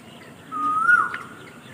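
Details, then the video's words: A bird at sunset in Dharmanagar, Tripura gives one clear whistled note, held level then rising slightly and dropping away at the end, against a quiet background. "Beautiful Birds Chirping Sound With Sunset Time"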